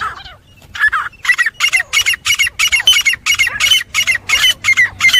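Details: Fighting call of a grey francolin, said to be good for hunting: a rapid, insistent run of short, harsh, ringing notes, nearly three per second, steady and loud throughout after a brief opening note.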